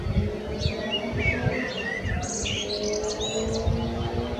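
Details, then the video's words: Common blackbird delivering warbled fluty notes, then a burst of high, thin twittering in the second half, over a steady low hum and rumbling background. "Amsel (Turdus merula)"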